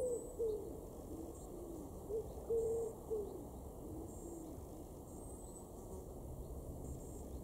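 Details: A common wood pigeon in a garden in Weener, East Frisia, northwest Germany, in July 2021, gives soft, low, hollow coos in a short rhythmic phrase, with a faint high bird note and low background hum.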